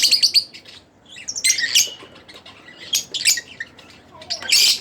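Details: Pet Split Blue Fischer's lovebird chirping and singing, sharp high squawky chirps in clustered bursts about a second apart, harsh and bright with short pauses between.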